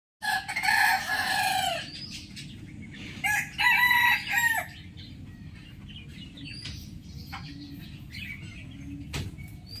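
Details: Rooster crowing in the morning: a loud, harmonic, drawn-out crow lasting over a second, then a second, choppier crow a couple of seconds later, followed by quieter distant crowing and clucks over a steady low rumble.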